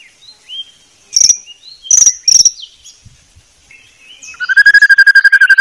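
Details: Song of a white-rumped shama for tutoring, with soft thin whistles and three sharp high notes. These are followed by a fast, buzzy run of repeated lower notes.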